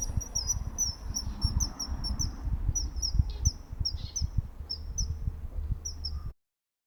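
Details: Common kingfisher calling in the morning by the Nogawa river in Setagaya, Tokyo, on 15 March 2026: sharp, thin, high whistled notes repeated in quick bursts through most of the clip over a low, steady rumble of wind or water.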